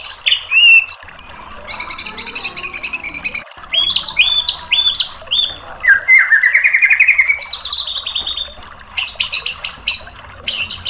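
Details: Tutor song of a white-rumped shama, played to draw a reply: varied loud phrases mixing clear whistles, buzzy trills and a rising rattling run, with short gaps between bursts.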